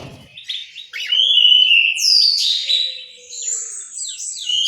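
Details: Orange-headed thrush in an aviary in Malang, East Java, singing a rich run of high whistled phrases: a long, sustained slurred whistle followed by bright descending notes, with faint lower tones beneath.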